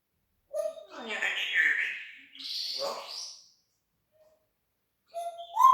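An African grey parrot gives a run of harsh, wavering and whistled sound imitations, then falls silent before a short rising whistle.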